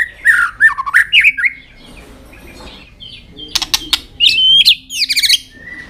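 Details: White-rumped shama singing with tail flicks to rouse young birds: quick looping whistled notes, a quiet gap, then crisp clicks and bright up-slurred whistles.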